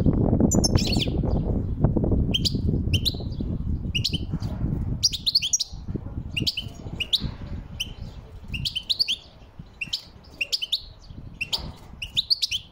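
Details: Wild European goldfinch singing: bright, high twittering notes and short buzzy phrases repeated roughly every second, over a low rumbling background noise that fades after the first few seconds.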